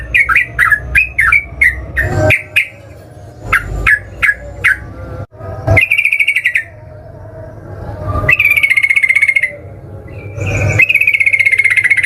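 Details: Yellow-vented bulbul lure song used to trigger singing in other bulbuls: bursts of quick bubbly notes separated by pauses, alternating with several longer buzzy, rattling trills, with low background hum throughout.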